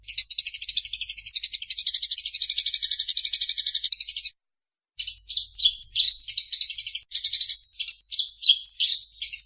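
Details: Eurasian tree sparrow giving its fighting call, first a sustained fast buzzy chatter for about four seconds, then after a pause a series of separate sharp chirps and twittering notes.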